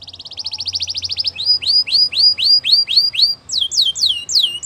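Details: Morning song of a female Belgian canary. A rapid rolling trill opens, followed by repeated hooked notes that sweep up and then drop, and finally a few high, bright descending notes, with a faint low hum beneath.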